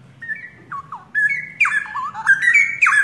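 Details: Caged young forest-origin straw-headed bulbul pair, called cucak rowo, in full active song: liquid warbled whistles gliding up and down, starting sparse then turning into dense, overlapping bubbling phrases over a soft low hum.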